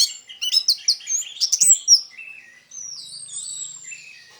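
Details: Orange-headed thrush song for luring other orange-headed thrushes: a fast cascade of sweet whistled and chirping notes, followed by softer, drawn-out high warbling phrases.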